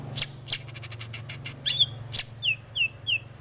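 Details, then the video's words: Long-tailed shrike (cendet), breeding mood, 'isian' song used to provoke singing; a few loud sharp high notes and a quick ticking run, ending with three clear falling whistles spaced evenly. "cendet gacor BIRAHI full isian"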